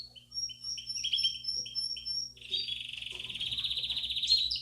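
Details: Belgian canaries singing in an aviary in a bell-style song used to stimulate young chicks to sing: a string of short, bright, descending whistled notes, then a dense, buzzy rolling trill that holds steady to the end.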